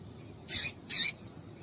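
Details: Female double-collared seedeater calling, a call used to stir males into singing: two sharp, bright chips about 0.4 seconds apart, each short and noisy-high, over a quiet background.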